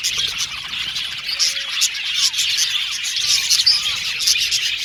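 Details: Colony of male violet budgerigars kept in an aviary, chattering steadily in busy high twittering and sharp chirps, with a few lower slurred whistles rising and falling through the flock noise.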